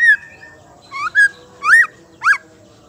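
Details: Female white-rumped shama, a call used to spur males to sing: loud, bright whistled notes, each arching up and falling, given in a short series with brief pauses.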